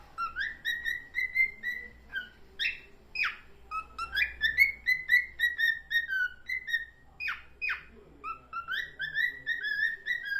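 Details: A red-eyed cockatiel sings a warbling string of clear whistles, with quick upward and downward sweeps between notes.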